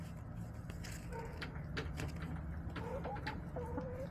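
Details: Backyard hens murmuring, a few drawn-out soft clucks and short warbled notes over a steady low hum and scattered taps.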